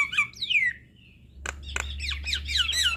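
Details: Javan myna in a long rolling song for tutoring young birds: falling squeaky whistled slurs, a soft whistle, then rapid harsh clicks and chattering downslurred squeaks.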